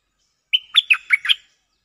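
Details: Cream-vented bulbul acting as a decoy in an exchange with a resident bird: a bright, bubbling five-note phrase, the first note drawn into a thin whistle, ending abruptly.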